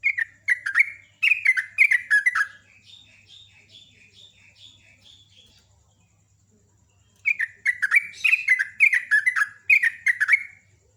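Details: Sooty-headed bulbul kept as a champion contest songbird, delivering fast, strong runs of bubbly warbling notes in rapid bursts, broken by a series of softer, higher repeated notes before the loud warbling resumes.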